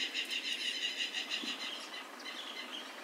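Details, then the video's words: A lined seedeater (Sporophila lineola) in the wild, feeding on brachiaria grass, sings a quick series of bright, high, repeated notes, about five a second, fading into softer, thinner twittering. "Bigodinho pardinho cantando muito"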